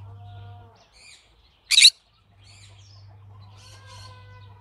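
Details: One short, piercing squawk from a green-cheeked conure, surrounded by faint softer chirps and a low droning hum.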